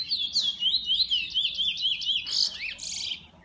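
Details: Bullfinch in an owner's keeping pours out rapid zigzag whistled notes, about four a second, then breaks into harsh, rasping chatter before going quiet.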